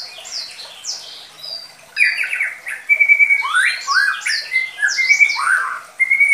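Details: Medan-type White-rumped Shama song used as a simple lure for young birds just past juvenile spotting: soft high sweeping notes, then from two seconds loud rapid phrases of downslurred whistles and steady clear whistled notes.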